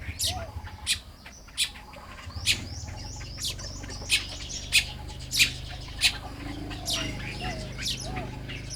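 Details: Nest-building Baya weavers in Lopburi, Thailand, one morning in May: sharp, high chips roughly every half second over faint buzzy twitters, with a low hum underneath.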